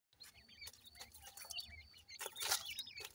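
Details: Black francolin chicks give a busy stream of thin, high chirps and short upslurred and downslurred whistles, several birds overlapping, with a louder rustling burst near the end.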